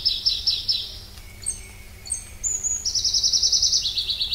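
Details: Pallas's leaf warbler (Phylloscopus proregulus) song opening with quick descending notes, then scattered sharp high notes, ending in a fast ringing trill that steps down to a lower pitch.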